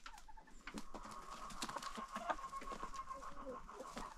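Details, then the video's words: Chicken roosters in an after-breakfast crowing contest on a farm: drawn-out mid-pitched crows held a couple of seconds, amid busy clucking and scratching from the flock. "roosters crowing.... contest"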